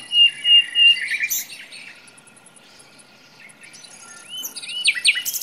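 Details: In a forest, a common nightingale sings a few loud, repeated whistles, then a pause, then quick rising notes, buzzy trills and sharp rattles, with a faint steady high hum beneath.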